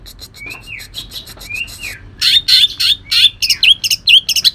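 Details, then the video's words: Greater green leafbird from Kalimantan in coarse song with shrike imitation: soft repeated slurred whistles, then a loud stretch of rapid scratchy chirps and upswept notes. "cucak ijo kalimantan tembakan kasar"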